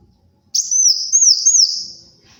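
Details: Sunbird known locally as kolibri wulung, singing vigorously for bird luring and tutoring: one sustained, very high, wavering whistle that rises and dips in three undulations for about two seconds, then fades.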